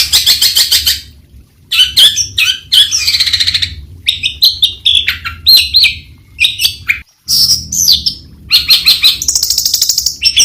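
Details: Long-tailed shrike, a bird of grasslands, rice fields and forest edges, singing a varied, melodious medley of chirps, harsh notes and rapid trills in quick bursts separated by short pauses, with no other sounds intruding.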